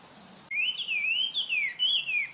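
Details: A Chinese hwamei (Garrulax canorus) gives a clear, high whistled song of smoothly rising and falling glides, running almost without pause for two seconds.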